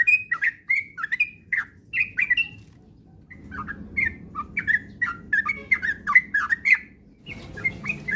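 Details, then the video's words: Lure recording of a sooty-headed bulbul for encouraging fast 'ropel' song: bursts of clear whistled notes, a short silence, then quicker up-and-down whistles repeated over steady background hum. "pancingan trucukan agar cepat ropel gacor rajin bunyi"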